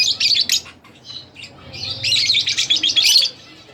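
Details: Shrill, fast twittering from pet split blue Fischer's lovebirds: a brief burst, a short pause with soft notes, then a longer dense stream of high, scratchy chirps that stops abruptly.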